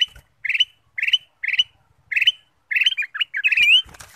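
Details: Kutilang emas, the ruby-throated bulbul, singing to lure other birds: four evenly spaced bubbly phrases, then a faster run of varied notes ending in a rising whistle.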